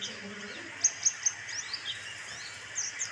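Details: Lure recording of a white-eye meant to prompt singing: bright, very high twittering notes in quick bursts with sharp downslurred chirps, set against a constant hissing background.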